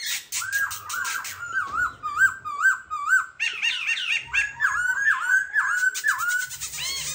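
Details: Captive Black-throated Laughingthrush, a cage bird clinging to its cage, singing a loud, rich run of rolling whistled phrases, each note bending up and down, repeated about twice a second with chattering notes between.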